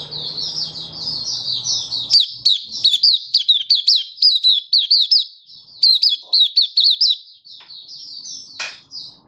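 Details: Malaysian white-eye (mata puteh) in Singapore on a stable, warm, sunny day, 20 March 2023, singing happily in open 'buka' style: rapid high chirping notes, dense and continuous, with a low murmur of background noise at the start.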